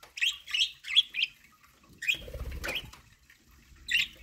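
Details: ['Budgies eating corn give a quick series of short, bright chirps, then a pause filled with rustling and thuds before one more chirp.']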